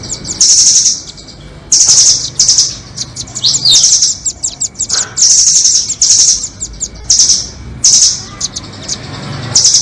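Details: Bird-trapping lure of doraemon and red-billed nuthatches: repeated high, harsh trilled bursts roughly every one to two seconds, interspersed with quick clusters of thin ticking notes and a brief rising whistle.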